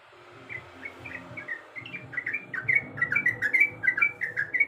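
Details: Sooty-headed bulbul female calling a male: soft chirps at first, then a louder, quick run of bright, downslurred notes, about two to three per second, over light background noise.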